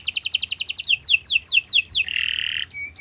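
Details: Canary master song for training other birds: a quick bright trill, then slower falling whistled notes, followed by a harsh buzzy phrase and a short sharp note.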